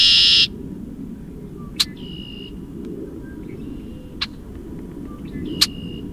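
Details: A Red-winged Blackbird in St Joseph or Elkhart County, Indiana, gives its conk-la-ree call: a sharp, bright note and then a high, buzzy trill, repeated several times over a low, steady rumble.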